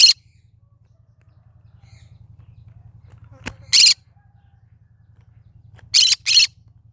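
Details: Cinnamon green-cheeked conure singing: a grating squawk, a sharp click, another rasping squawk, then a closing double squawk, all over a low droning hum.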